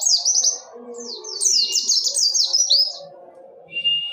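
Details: Brief burst of Oriental white-eye song, dakun wilis ngerol nembak style: a loud cascade of high, rapid slurred whistles for three seconds, a pause, then a short steady whistled note.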